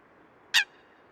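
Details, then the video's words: A single brief, harsh, explosive note from a wild Eurasian coot, lasting a fraction of a second, with quiet background hiss. "Eurasian Coot – Bird Calls & Sounds"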